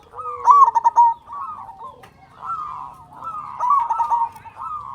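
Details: Loud-voiced local zebra dove singing, used as a lure to prompt other doves to sing: a loud burst of quick, clipped cooing notes, then softer, drawn-out coos from other doves.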